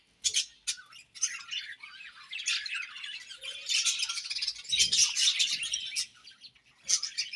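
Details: Breeding-season budgerigars chirp and warble in rapid, overlapping high notes, swelling into dense chatter then dropping to a few sharp calls at the end.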